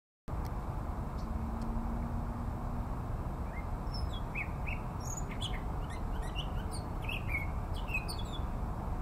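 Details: A Costa's hummingbird perched in a garden in north Phoenix, Arizona gives high, sharp, tinny chips in a quick, irregular series through the second half, over a steady low rumble of traffic or wind.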